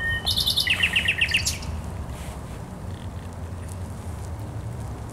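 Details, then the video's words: Thrush nightingale at the Żerań Canal on 24 April 2022 delivers a loud, rapid burst of repeated clipped notes, falling slightly in pitch, ending abruptly, then a steady low background hum. "Śpiew słowika rdzawego na Kanale Żerańskim"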